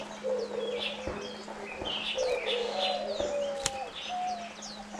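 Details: Diamond dove pair feeding chicks on the ninth day after hatching; repeated soft, low cooing throughout, including one longer smooth whistled note, over busy high chirps from other birds and a constant hum.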